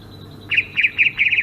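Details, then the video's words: Rapid bursts of bright, chattering high chirps in quick clusters from a Sumatran greater green leafbird, rolling ngerol song type, after a brief quiet opening. "kicau burung cucak ijo sumatra ngerol"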